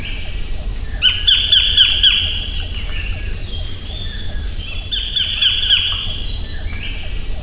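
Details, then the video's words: Two bursts of rapid, harsh, downward-sliding notes from a white-collared kingfisher, each about a second long, over an unbroken high insect whine. "白領翡翠/White-collared Kingfisher(Todirhamphus shloris)call"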